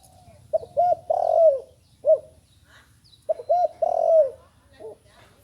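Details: Inexperienced young spotted dove calls twice. Two short hollow coos lead into a drawn-out coo that bends downward, each phrase followed by a lone short coo. The background is quiet apart from a low hum.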